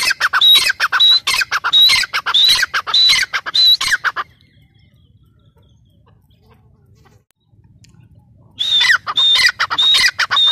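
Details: Loud calling from a grey francolin (teetar): roughly eight rasping, whistle-topped notes in quick rhythmic succession. A long quiet gap follows before the same pattern returns near the end.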